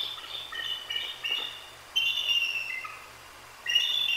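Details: Wild female bald eagle and her mate at a nest in Decorah, calling repeatedly at night after a Great Horned Owl strikes her on her perch; high thin whistled notes with falling slurs in bursts, steady low hum behind.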